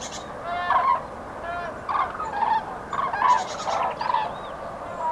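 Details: Common cranes on pre-breeding spring migration over Nouvelle-Aquitaine, France, on 8 February 2017: overlapping loud, rolling trumpeting calls from several birds in short bursts, with higher harmonics above.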